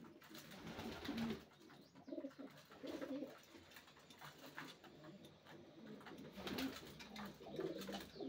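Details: Racing pigeons cooing indoors, low soft coos scattered through the clip with clicks and shuffling noises around them.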